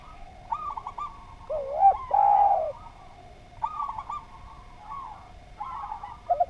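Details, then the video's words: Spotted dove on a training recording for other birds: a wavering coo runs into a long, loud, slightly falling hoot. Repeated higher chattering phrases from other birds come before and after it, over quiet background. "Derkuku Gacor Suara Nglaras, Masteran Derkuku Paling Top Cer"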